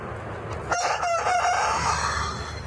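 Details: Chicken crowing in a strange, broken way: short stuttering notes then a drawn-out wavering tone, over a constant background hiss.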